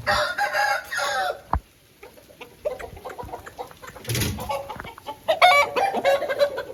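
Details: Aseel chicken after rain: a loud harmonic crow burst opens, then scattered clicks, knocks and clucking-like noises, with another raspy harmonic call near the end among general yard noise.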